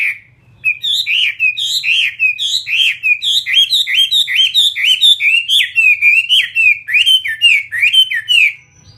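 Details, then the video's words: Caged Chinese hwamei fighting bird in full song: a long, steady series of loud looping whistled notes, each a quick up-and-down slur, delivered at a brisk even rhythm for about eight seconds. "Họa mi chiến"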